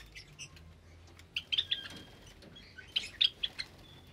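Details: Java sparrows in an aviary with newly hatched chicks, Sunday morning in May 2022; a few soft notes, then two clusters of sharp high chirps separated by a quiet pause.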